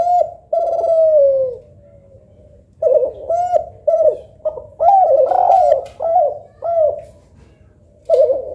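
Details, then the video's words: Local tekukur or Kelantan derkuku, compared for the melodious quality of its coo, opens with a long falling coo, then after a pause gives a series of short, arched, rounded notes. "Tekukur Lokal Vs Derkuku Kelantan ‼️ Manakah Yang Lebih Syahdu & Merdu Yah Lur ?"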